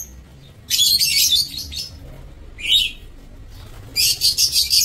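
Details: Lovebirds in an aviary on 27 March 2024: harsh, high, buzzy chattering bursts, one sharp squeaky call between them, then a fast pulsing rattle of shrill notes.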